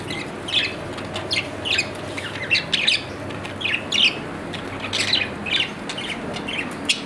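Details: Pet budgerigar chirping in repeated clusters of bright, scratchy notes, roughly one burst every second or so, each group a quick tumble of high chirps and squeaks, with low hum underneath.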